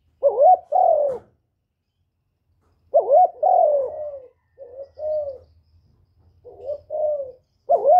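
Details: Decoy spotted dove (cu gáy, cu đất, cu cườm) singing to provoke other kept doves, cleanly recorded: mellow low coo phrases in uneven groups, some doubled, others shorter and softer, with a faint low hum in the pauses.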